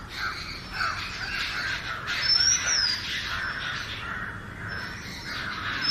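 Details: Sweet, high whistled phrases of an Oriental magpie-robin, one loud arched note midway and softer ones later, over a chattering chorus.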